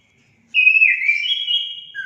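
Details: Orange-headed thrush song meant to stimulate pet birds: a sustained, clear whistle that holds, wavers slightly and rises before a lower note breaks in at the close.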